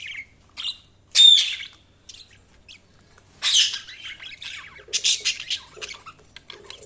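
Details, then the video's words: Budgies chirping with loud, sharp high chirps and a rising whistled squeak near the start, then scratchy squawks and a rapid chatter of short notes in the second half. "Budgies Sounds| Budgies Chirping sound"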